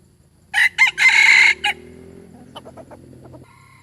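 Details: Close, loud crow from a beautiful decoy chicken known for its good voice: two quick rasping syllables, a long harsh held note and a short tail, followed by soft low clucks.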